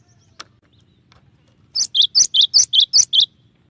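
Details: Cinereous tit singing a clear training song with shot-like variations: a single faint tick, then a pause, then a fast series of eight crisp two-part notes, high then lower, about 150 per minute.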